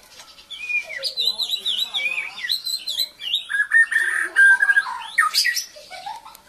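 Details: White-rumped shama, or murai batu, from Kuching, singing a loud, clear, melodious run of varied whistled phrases, rising and falling slurs and rapid notes with short pauses between bursts.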